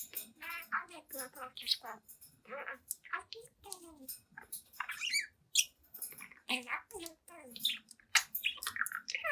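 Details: Young budgie, seven months old, babbling in front of a mirror indoors, dense rapid chatter of buzzy, voice-like syllables and sharp chirps running almost without pause.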